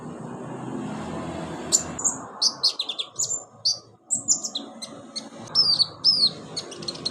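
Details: Caged-bird therapy track of olive-backed sunbird: after a humming start, a lively series of high sharp chirps and short down-slurred whistles, irregularly spaced, some doubled.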